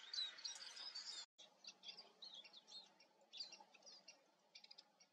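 Eurasian siskin giving quick, high, thin twittering notes and short chirps in irregular bursts, with a soft background hum.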